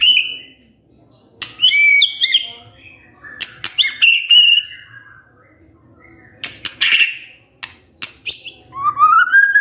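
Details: White-rumped shama song played as a lure to stir a lazy male: scattered high whistled notes and short trills separated by pauses and sharp clicks, ending in a rising whistled phrase.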